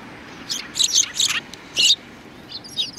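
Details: Sparrows in a group, 2 January 2019: a few harsh, high chirps clustered close together, then a short gap and two softer, thinner chirps at the end.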